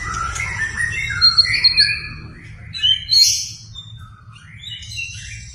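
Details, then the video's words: Provocative white-rumped shama singing meant to stir a reluctant shama: bright whistled notes, quick upward slides and high chattering trills in a fast varied stream over a constant low background hum. "PANCINGAN MURAI BATU GACOR BONGKAR MATERI // AMPUH UNTUK MENAIKAN EMOSI MURAI SUSAH BUNYI"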